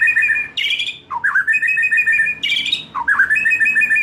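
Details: White-rumped shama lure song for juveniles from the wild: a phrase repeated twice, each a harsh buzzy burst dropping into a rapid, rattling, level trill.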